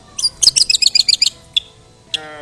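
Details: Long-tailed shrike song meant to provoke other shrikes: a fast burst of bright chattering chirps, then a pause, a single note and one harsh, noisy call at the end.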